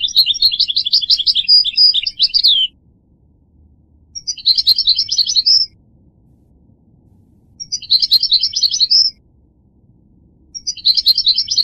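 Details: Goldfinch song: four lively phrases of fast, jingling twitters, each lasting one to two and a half seconds and separated by brief pauses, with no other sounds.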